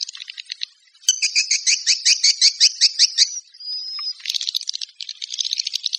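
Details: A swiftlet calling sound ("walet panggil"): twittering in a fast run of sharp, high chirps at about three a second, a brief thin whistle, then buzzy high chatter.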